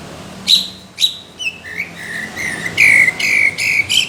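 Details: Greater green leafbird singing rough, thick bursts aimed at judges: a few spaced sharp whistles, then a drawn-out, strident buzzy trill that wavers on a steady pitch.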